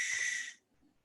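A Barn Owl gives one harsh, hissing scream lasting about half a second, rough and breathy across a wide high band, then stops abruptly.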